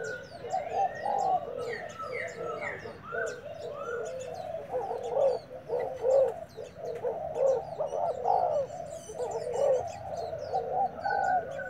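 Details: Wild-caught spotted dove used as a decoy, just brought home and already calling in a duel: repeated low, rounded cooing phrases, about 27 per minute, with small birds chirping higher in the background.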